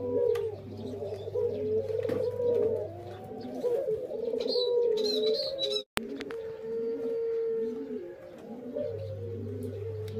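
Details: Spotted doves in the morning give soft, low, hollow coos in overlapping, repeated phrases over a steady electrical hum.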